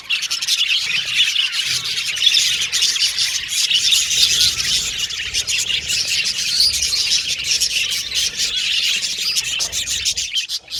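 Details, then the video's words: Australian budgies kept as pets whistling, chattering and singing together, a long dense high-pitched twitter of overlapping chirps with brief clear whistles, fading slightly at the end. "Australian Budgies Birds Singing & Chirping Sound"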